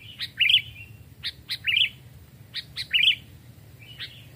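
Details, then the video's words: Sooty-headed bulbul, a caged bird aged two to three years, raised from a chick and tested for voice in a forest: crisp short notes leading into quick liquid warbles, three phrases in close succession. "tes mental dan suara saat di hutan 2 jenis Burung Kutilang"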